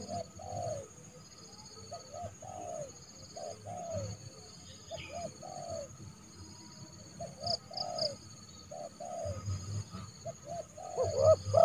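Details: Spotted dove decoy calling a rival bird into the yard to trap it, recorded in January. Low hooting coos come in steady repeated phrases of short notes ending with a drawn-out falling note, with persistent high whining tones behind.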